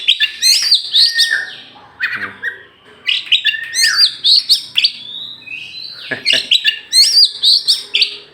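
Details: Champion oriental magpie-robin from Meulaboh, Aceh, tame and released outside before caging, delivers rich varied song of high whistles, sweeping slurs and scratchy notes in rapid bursts, with brief pauses between phrases.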